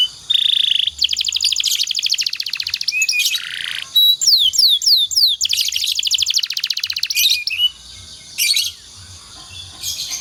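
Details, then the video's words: Canary training song for other canaries; long rattling trills broken by buzzy rolls and sweeping notes, with short gaps between phrases. "suara burung kenari Ini sangat ampuh buat masteran segala jenis burung kenari agar cepet gacor"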